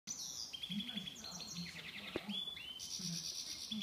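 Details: Goldfinch mule singing a fast, high twittering song of trilled and buzzy phrases, with short rising whistles and rapid rattling runs, over a steady low hum throughout.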